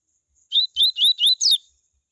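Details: Song of a coleiro in the tui tui style, meant to warm up other coleiros: five rapid whistled slurred notes in about one second, ending on a higher, harsher descending note, clear and isolated.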